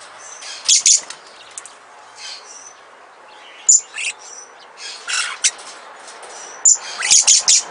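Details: A newly acquired captive pair of little lorikeets give sharp, high, buzzy screeches in short bursts at irregular intervals, with a few thin tweets in between.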